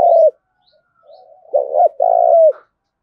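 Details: Spotted dove used as a decoy, calling loudly to challenge rivals: a long coo, then a soft murmur, then a short note and a sustained hollow coo that falls at its end. Clean recording with little noise.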